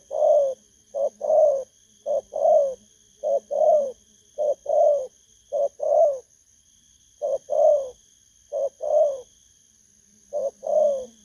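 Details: Kept spotted dove cooing in the 'thổ cấn bầu' style: about eight soft, hollow two-part phrases, a clipped note then a drawn-out coo, separated by short pauses, over a quiet electrical hum.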